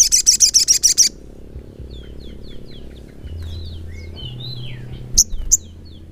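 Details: Crimson sunbird (sogok ontong) in continuous 'gacor ngleper' singing: a one-second burst of rapid, very high buzzy chips, then thin sliding whistles rising and falling, ending with two sharp high notes over a low background hum.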